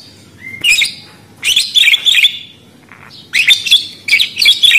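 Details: Budgerigar giving harsh, buzzy chirp bursts in four clusters with quiet gaps between, the notes scratchy and broadband with a brief whistled note before them.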